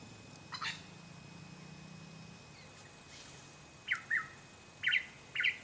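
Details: Eastern Yellow Robin on the Chiltern Track, Ku-ring-gai Chase National Park, NSW, in late July 2016: a faint early note and a low hum, then short, sharp, mid-pitched, slightly falling chirps in a loose group of four near the end.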